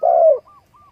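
A spotted dove gives one low, soft, slightly falling coo, followed by two faint, brief hooting notes.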